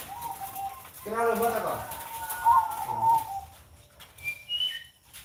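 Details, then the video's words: Caged zebra dove (perkutut) on a Sunday morning: after a man speaks briefly, a mellow, slightly wavering coo holds for about a second and a half, followed by soft faint chirps. "PANTAU KUTUT BUNYI"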